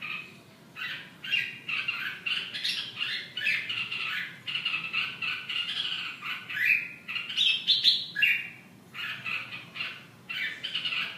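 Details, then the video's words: Red-whiskered bulbul giving harsh, scratchy chattering phrases, each about half a second to a second long, repeated with brief pauses, against a quiet background. "Chào mào"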